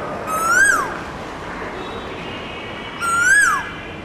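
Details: Male Asian koel (Eudynamys scolopaceus) singing in a neighbour's garden: two loud whistled notes about three seconds apart, each swelling upward then dropping away sharply over faint background hiss.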